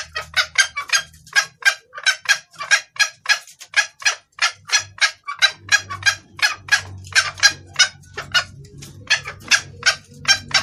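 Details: Female red junglefowl calling the male, suited to luring males: a long, fast run of about thirty rasping cluck notes, nearly three per second, with a steady low hum rising behind them midway.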